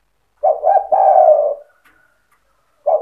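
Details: Spotted dove in provoking song meant to rouse other doves; one full phrase of two short coos then a long, slightly falling coo, with the next phrase beginning at the end.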